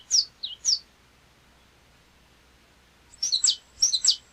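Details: Saffron Finch of Brazil: a few high, downslurred chirps, then nearly three seconds of silence. A second burst follows, made of clustered, overlapping sharp notes.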